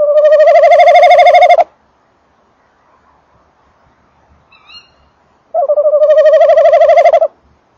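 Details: Tawny owl male at the nest box, 19:48 on 28 December 2013, microphone close: two loud, long, rolling trills about four seconds apart, with a faint higher wavering call between them.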